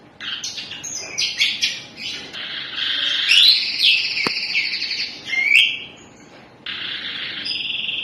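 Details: Canary in full song with rapid rolling trills and buzzes, quick rising sweeps, a sharp click in the middle, a brief pause, then a steady trill resuming.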